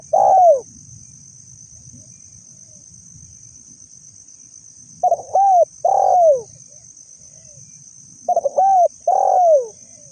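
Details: Spotted dove giving lure calls: three phrases of low hooting coos, each ending in a drawn-out falling note, with a faint low rumble and a steady shrill insect drone throughout.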